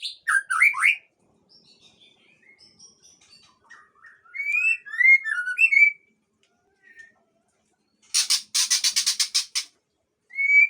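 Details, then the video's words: Agitated long-tailed male white-rumped shama of the Aceh type, singing loud varied whistled phrases: rising and falling slurred notes, then a harsh rattling burst of rapid buzzy notes, and a final clear whistle. "Murai Aceh Jantan Ekor Panjang Mengamuk"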